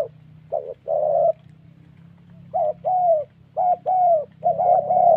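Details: "Thổ" style cooing of a spotted dove in the Central Highlands forest of Vietnam, linked to decoy trapping: after a brief opening hoot and long pause, steady short-long paired coos follow, mellow and slightly falling.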